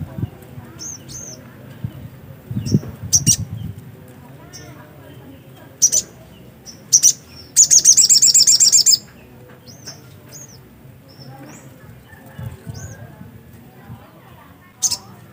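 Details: Black-capped white-eye in active song: sparse high single chirps spread through a quiet stretch, broken by a rapid, tight trill of sharp twittering notes lasting about a second and a half; faint low background hum.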